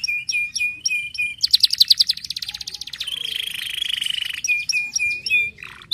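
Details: Canary song intended to get canaries singing: short repeated whistled notes, a rapid buzzy trill, a long rolling warble, then repeated whistles again.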